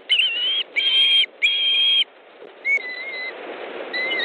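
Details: Osprey at a nest in Estonia on 18 August 2014 around 18:05, as the male delivers a fish to his mate; a run of three loud, sustained whistled notes, then two softer thin falling whistles.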